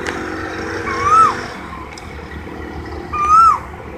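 Asian koel giving two clear, mid-pitched whistled notes that slur upward and then dip, about two seconds apart, over steady low traffic hum.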